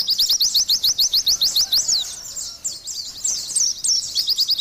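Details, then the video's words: Pleci (Oriental white-eye) singing in lively gacor style, pouring out quick, thin, high chirps in a rapid chain, slackening briefly into a quieter warbled section before the sharp twittering resumes. "TERAPI BURUNG PLECI"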